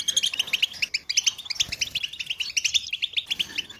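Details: Goldfinch group chirping of mating and readiness calls to stimulate male European goldfinches: quick, bright, high double chirps repeated in a lively rhythm, several birds overlapping.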